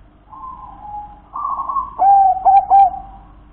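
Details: Local wild-type zebra dove singing: soft low cooing builds into a rolling purr, then ends in three loud, clear, slightly rising coo notes in quick succession.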